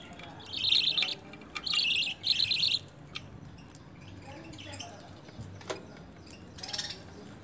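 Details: Young lovebirds hand-fed spinach and coriander during early hand-feeding training give three harsh, buzzy, rasping bursts in the first three seconds. Fainter scattered calls and clicks follow.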